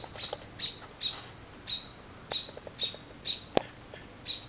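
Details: American robins squawking in alarm after a storm blew their nest from a maple tree in south-western Ontario, June 21, 2012, dive-bombing a cat near a grounded chick: sharp high calls repeated about twice a second, with a click.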